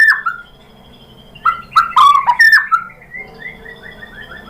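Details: White-rumped shama lure song meant to make other shamas answer: loud, rich whistled phrases mixing slurred notes and sharp harsh bursts, ending in a quick series of short falling whistles, over a low background hum.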